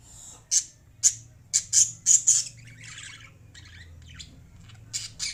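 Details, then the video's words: Lovebirds chirping: loud, shrill squawking notes given roughly twice a second in an uneven series, a softer scratchy chatter in the middle, then two more sharp squawks, with a low background hum. "Love birds singing and chirping sounds"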